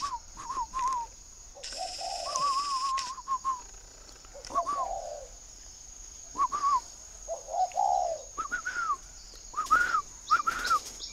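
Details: Spotted dove kept in Ba Vì, Hanoi, northern Vietnam, repeating its cooing phrase several times over eleven seconds, each a low slurred coo paired with short quavering higher notes, amid occasional clatter and a high electronic tone.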